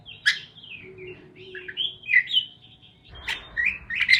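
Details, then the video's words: Parakeets chirping: quick, bright chirps and warbled squeaky notes rising and falling in pitch, with a brief harsher burst near the end over a faint low hum. "Parakeets Chirping Sounds"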